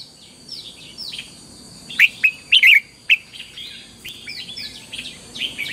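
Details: Red-whiskered bulbul singing in the morning, decoy song for training birds to sing 'căng lửa'; a cluster of loud, bright whistled notes around the middle, surrounded by quieter slurred whistles from other bulbul-like singers.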